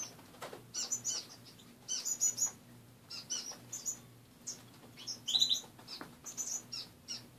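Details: Caged pet finches in the morning, their cage partly bare after cleaning: scattered short high chirps and brief twittering bursts, several birds calling irregularly, with a faint low steady hum beneath.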